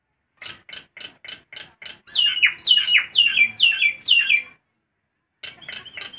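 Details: Nias hill myna singing loudly in hot weather: a row of evenly spaced short clicks, then a loud run of ringing, descending whistled notes, a pause, and further softer notes.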